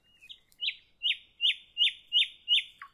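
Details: Evening song of a nightingale, a series of six loud, sweeping, descending whistled notes, each about a third of a second apart, ending in a lower note.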